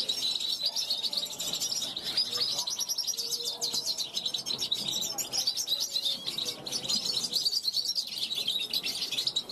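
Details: Young European goldfinch hatched in 2021, calling to wild goldfinches passing a balcony; a continuous, rapid, high twittering of liquid chirps and buzzy trills runs throughout, with faint lower murmurs beneath.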